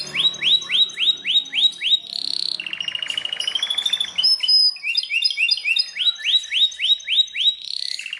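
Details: Belgian canary in full, strong song: rapid repeated upswept whistles, a buzzy rolling trill, then quick chirping phrases and another run of rising whistled notes, several per second.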